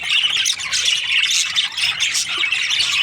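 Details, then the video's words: Budgerigars in breeding season, a dense flock of chattering and chirping with continuous overlapping squawks and warbles. "Lovely budgies chirping sound parakeets breeding season"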